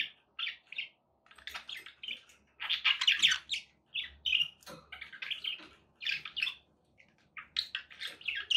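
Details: Budgerigars singing to keep a pet parrot company and urge it to eat and sing: lively repeated bursts of chirping, raspy warbles and squeaks, alternating with short gaps, faint thuds underneath.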